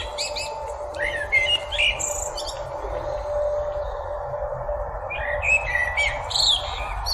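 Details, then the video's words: A common blackbird gives two brief song phrases of short whistled notes breaking into high twittery flourishes, over a steady low background hum. "call and song of the blackbird"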